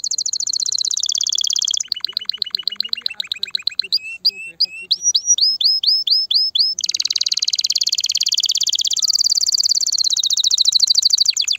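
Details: Powerful canary song intended to ready females for mating: rapid trill, slower series of chipped notes, rising whistles, then a long fast buzzing trill to the end.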